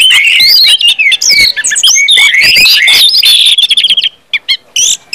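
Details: Orange-headed thrush belting out 'ngeplong' song meant to stimulate other birds; quick slurred whistles and chattering notes for four seconds, then a few isolated short chirps.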